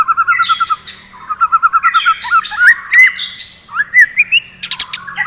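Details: White-rumped shama singing in the morning to stir up fighting birds; quick repeated whistled notes open the phrase, followed by upslurred whistles and chattering trills, with a faint low hum underneath.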